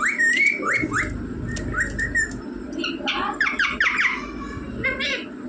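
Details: Talking rose-ringed parakeet indoors repeating mummy and papa: clear whistled notes rising then flattening, a series of shorter whistles, then a tumbling burst of harsh squawked syllables, with background music underneath.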